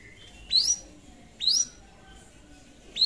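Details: Long-tailed shrike singing to call a rival: three clear, loud upslurred whistles spaced about a second apart, each rising sharply, in otherwise quiet surroundings.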